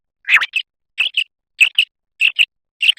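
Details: Common quail (batair) song: quick, high, clipped double notes repeated about every 0.6 seconds in a steady pulse, with clean quiet gaps.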